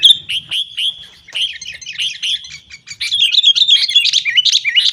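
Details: Lure for caged sooty-headed bulbuls: evenly spaced bright whistled notes about twice a second at first, then after 3 seconds a louder, busier burst of swooping, rising-and-falling phrases.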